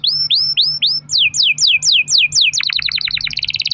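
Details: Canary singing a long roll meant to prompt other canaries to sing: rising whistled notes, then a run of downward-sweeping slurs about four per second, ending in a rapid chattering trill.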